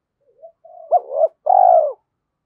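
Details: Decoy spotted dove, Vietnam, stimulated to coo, thổ sấm style voice: soft rising lead-in notes, a clipped two-part coo, then one long, mellow, gently falling coo.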